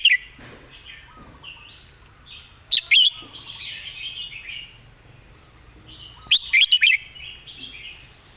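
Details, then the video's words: Teacher-bird Red-whiskered bulbul sings crisp, well-phrased song: a short note, then a three-note whistled burst, and later a faster five-note rippling phrase, with soft warbling chatter throughout. "วางคำชัด"เดินสำนวนดี /นกครูเพลง"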